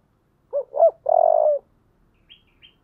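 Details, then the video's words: Spotted dove in the 'giọng thổ' voice style, a call used to urge fighting: two short hooting notes, then a long rolling, vibrating coo, followed by two faint high chirps from another bird. "cu gáy giọng thổ/ cu gáy thúc đấu"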